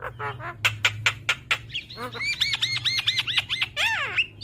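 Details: Cage-bird training recording of a Javan myna in full song: harsh broadband chacks, then a rhythmic string of about eight arched whistled notes, ending in quick falling slurs.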